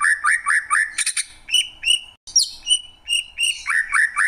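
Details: Greater green leafbird giving looping whistled phrases, a brief rasping burst, slow clear whistles broken by a short silence, then rolling rising notes to finish.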